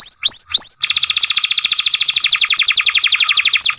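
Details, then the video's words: Young canary in masteran song: three sharp upslurred whistles, then a sustained, fast, evenly pulsed trill of bright, clicky notes repeated several times a second, ending in another upswept note. "Young Canary Masteran, Long Sounds Grumbling"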